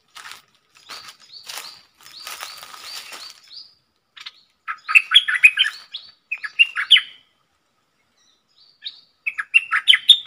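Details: Red-whiskered bulbul decoy singing a three-part song with rapid flourishes, used to teach young birds and lure wild ones; faint high upslurred notes at first, then loud bubbly warbled phrases with short pauses between them.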